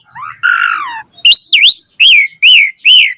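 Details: Asian pied starling: a long, wavering nasal whistle, then a series of five loud arched whistled notes, each rising and falling, repeated about twice a second.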